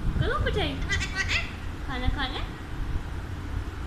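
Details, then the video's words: A pet Alexandrine parakeet that speaks Urdu and Hindi talks in two short bursts of words, with clear speech-like rising and falling tones and a faint room hum behind. "Charming Conversations with my Multilingual Alexandrine Parrot"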